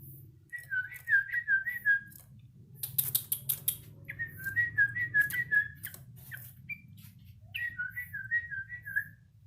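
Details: Yellow-vented bulbul learning to sing, three runs of quick, even whistled notes at a steady pitch, over a low rumbling background with scattered clicks and knocks.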